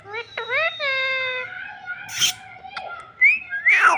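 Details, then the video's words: Green parrot speaking in mimicked voice: a few nasal rising syllables, then a long steady drawn-out tone, followed by a sharp noisy burst, a click and bright whistled upward slides. "Nonstop talking parrot"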